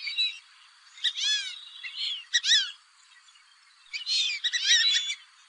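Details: Fulvous whistling ducks calling, offered as a hunting sound: several overlapping squeaky, falling whistles run together from more than one bird over a steady high hiss.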